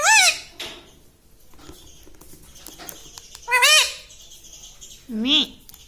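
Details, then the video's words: Talking house parrot, said to say "mummy"; three voiced, wavering harmonic utterances, the last lower and arching, separated by quiet stretches with soft rustling. "Talking Like a Human - Mummy Bolne Wala Tota - Talking Parrot"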